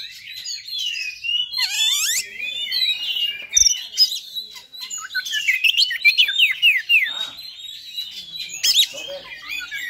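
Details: Oriental magpie-robin, fighter song pitched high to excite other magpie-robins; fast jumble of whistled slurs, harsh rasps and quick repeated descending notes, lively and nearly uninterrupted.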